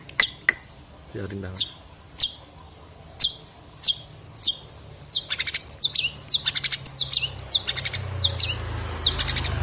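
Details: Long-tailed shrike in 2022, a varied song recording used as tutoring material for songbirds: sharp single ticks spaced about a second apart, then a quick series of high looping whistled notes repeated in a rolling rhythm.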